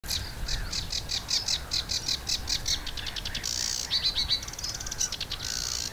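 Sedge warbler song: a fast, restless run of chattering notes, rapid trills and harsh buzzy bursts, changing every second. A low rumble of wind sits underneath.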